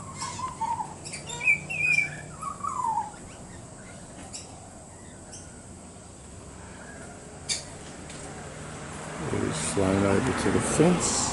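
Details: Young pied butcherbird fledgling visiting a garden with a parent on a morning in January, warbling from a fence; short clear, sliding whistles in the first seconds, then quiet and later broadband noise and low sounds.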